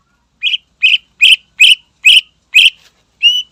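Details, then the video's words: Greater green leafbird song aimed at provoking rivals: a fast series of six rough, buzzy notes at a steady rhythm of roughly two or three a second, followed by one cleaner whistle. "Suara Burung Cucak Ijo Gacor Istimewa Membakar Emosi Lawan"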